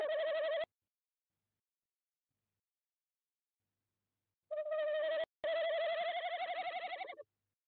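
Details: A tawny owl visiting owl box 2 at De Mortel calls at 21:45 CET on 27 January 2021: a short, low hoot, then after about four seconds a longer, wavering hoot that quavers rapidly toward its end.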